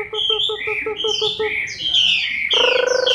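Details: October 2015 recording of a moulting Chinese hwamei: about eight short, evenly spaced pulsed notes lead into long sliding whistles, then a loud buzzy harmonic hum joins near the end.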